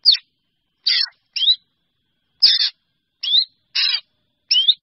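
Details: Drongo calling to gather the flock: seven strong notes, alternating harsh buzzy rasps and clear upward-sweeping whistles, in a quick, uneven sequence.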